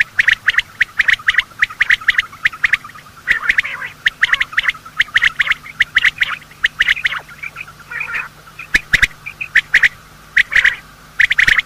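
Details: Male and female quail giving their morning calls, a recording used for hunting quail: dense bursts of short, sharp chirps with crisp clicks, in groups about a second apart, and a few softer whistled notes near the end.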